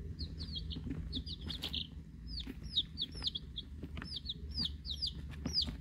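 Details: Week-old hatchery chicks, eight Rhode Island Red hens, two Black Sumatra hens and a mystery chick, chorus in high, thin, downward-curving peeps, several overlapping at once, with scratchy taps and a steady low hum.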